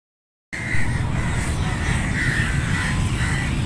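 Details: Flock of crows cawing: after a brief silence, harsh caws repeat at a steady pace of about one every 0.7 seconds over a strong, constant low rumble.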